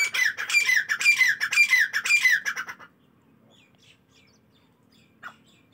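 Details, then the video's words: Partridges in the morning give a loud, fast run of harsh, ringing notes, roughly two per second, for nearly three seconds. Near-silence follows, broken by one faint later call. "تیتروں کی صبح کی خوبصورت بولیاں"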